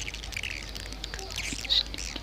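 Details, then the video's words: A swiftlet lure call that birds reportedly respond to strongly: dense, rapid high chirps and twittering chatter in a busy overlapping stream, with a low hum underneath and a faint voice. "Suara panggil burung walet"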